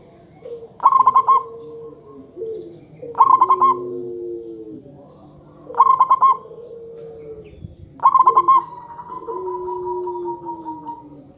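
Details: Local zebra dove used as a lure to prompt other zebra doves to answer, giving four bursts of rapid stuttering coos roughly every two to three seconds, each trailed by lower, sliding drawn-out notes.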